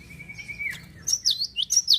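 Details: Java sparrow song meant to stir other birds into singing: a long flat whistled note sliding down, then a lively string of bright, bouncing high chirps.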